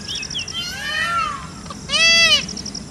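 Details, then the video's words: Peacock (Indian peafowl) during its dance: softer, drawn-out wails at first, then one short, loud, harsh nasal cry, against steady background hiss and faint high chirps. "peacock's sound"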